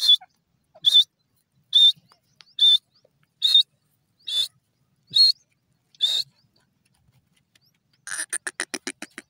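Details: Grey francolin in grass: loud sharp high-pitched notes repeated roughly once a second, eight in a row, then a rapid rattling series of short pulses at the end.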